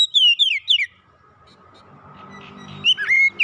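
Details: Oriental magpie-robin song used as therapy to help a stressed bird recover: a quick run of clear whistled, downslurred notes, then a pause with low background hum, then more whistled notes.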